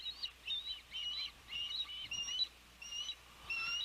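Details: Osprey calling at a Savannah nest on a windy 12 June 2021, the day the oldest chick first fledged; clear, high whistled notes come in quick, uneven bursts with brief pauses between them.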